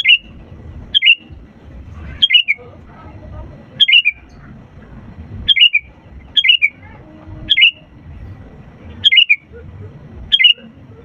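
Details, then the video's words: Lively sooty-headed bulbul song played to coax silent birds into singing: a long series of short, bright, descending chirpy phrases, mostly in pairs, spaced about a second apart, with low background rumble. "pancingan kutilang gacor untuk burung malas' bunyi"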